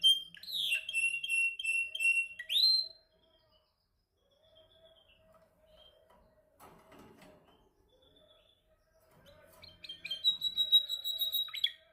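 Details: Domestic male canary singing during song training, practising to perfect its song: a fast, rolling trill of repeated notes that ends in a rising sweep, then quiet soft notes, then a bright high rapid trill.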